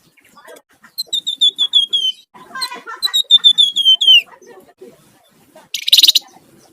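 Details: Sunda warbler song in the energetic ngebren and nyiul styles, kept as a lure and training recording for songbirds. There are two quick series of bright, high whistles that slide downward, a twittering phrase between them, and a harsh buzzy rattle near the end.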